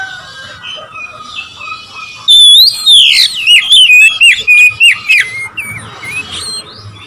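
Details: Faint warbling opens, then an Oriental magpie-robin bursts into loud song aimed at provoking rivals: rapid sweeping whistles and sharp notes in quick succession before fading back to soft chatter.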